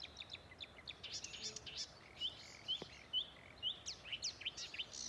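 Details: Marsh warbler (Acrocephalus palustris) singing from bushes by the Ljungan river at Älvkröken, Njurunda, Sweden, 14 June 2021: a fast, restless stream of high chirps, buzzes and whistles; a fieldfare chatters along.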